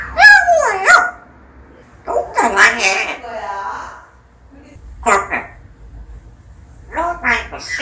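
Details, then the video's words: Indoor pet parrot that imitates human speech such as "Long time no see"; short high-pitched word-like calls with sliding tonal contours, repeated in several bursts among people talking in a quiet room. "연구대상 앵무새"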